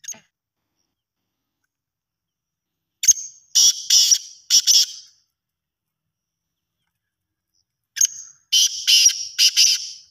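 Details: A black francolin from Pakistan gives two bursts of its call about five seconds apart, each a brief sharp note followed by a string of loud, rasping, rhythmic notes in a quiet setting.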